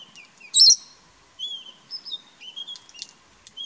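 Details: A Brown-headed Parrot feeding in Kruger National Park gives one loud, harsh shriek, then a run of thin, high whistled and chirping notes.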